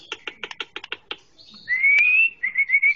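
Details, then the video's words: Green leafbird on a training track for young birds: a run of about eight dry, clicking chips, then a clean whistle rising gradually in pitch, followed by a string of short bright whistled notes. "Masteran Full!!! Cucak Ijo sangat ampuh untuk bikin burung muda anda gacor ngeplong"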